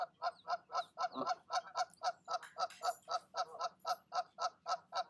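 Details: Parent geese calling their goslings down from the nest in the evening: a fast, very regular run of short nasal honks, roughly four per second, without pause.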